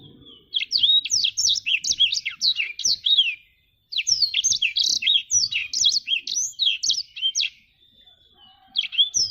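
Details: Black-throated canary, called jabrig, singing: rapid bursts of high, varied chirps and sweeping whistled notes, each phrase lasting two to three seconds and separated by brief pauses, with a thin sustained tone between phrases.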